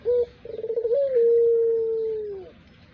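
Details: Pelung-type collared dove, a bird suited for use as a lure: a short hoot, then a rapid bubbling trill rising into a long, steady, drawn-out coo that slowly falls at the end, about two and a half seconds in all.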